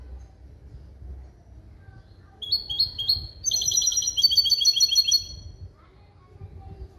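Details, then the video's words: Male goldfinch × female canary hybrid singing a schooled limpio-style song, 2021. A few separate high chirps lead into a dense, fast, ringing trill lasting about two seconds, then silence. "CHANT DE MON HYBRIDE JILGUERO ET CANARI"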